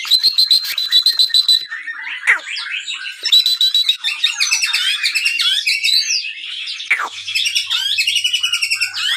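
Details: White-rumped shama kept in captivity, its song used as a lure to stimulate other birds: high rattling trills open, then tumbling whistled phrases and sharp downward notes, with a buzzing rattle series at the end.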